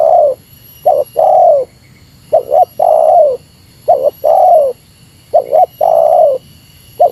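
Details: Rival-challenging spotted dove coos in meratus style, short double notes leading into long drawn coos that sag at the end, five phrases steadily repeated; a faint persistent high whine underneath.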